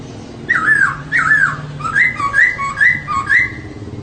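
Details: Female laughingthrush, a cage bird, singing to push males into song: looping whistled phrases, then a rhythmic run of paired notes alternating high and low about twice a second, over a low background hum.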